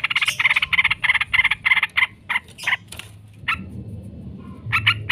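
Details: Yellow-vented bulbul lure recording for training birds: a fast, even series of harsh, chattering notes about four per second, slowing and breaking off, then resuming briefly over low background rumble.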